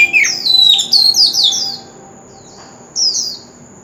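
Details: Oriental magpie-robin song, played to spur young birds into singing: a fast, loud flurry of slurred, sweeping whistles in the first second and a half, a quiet gap, then a shorter warbled phrase; a faint high hum continues.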